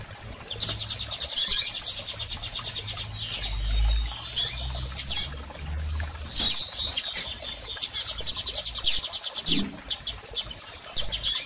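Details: Double-collared seedeater calls, female and male, used to excite a male bird: long runs of fast dry rattling ticks broken by high sharp chirps, with a low hum underneath.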